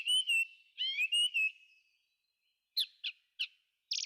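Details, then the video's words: A thrush sings in a forest: two clear, whistled phrases of slurred, fluting notes, then after a pause a few short, sharp chipping notes, with no other sounds. "Thrush singing"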